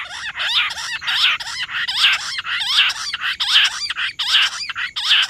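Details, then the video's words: Rock bush quail calling nonstop on 18 July: loud rasping, chattering bursts with rising squeaky notes, repeated about every three-quarters of a second in an unbroken run, a faint high whine underneath. "Nonstop Voice Perdicula argoondah Rock bush quail jungle battair quail hunting quail sound"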